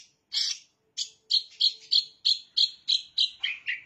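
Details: Mimicry of bar-winged prinia by a long-tailed shrike, a series of about ten harsh, chipping notes repeated roughly three times a second, dropping lower in pitch at the end.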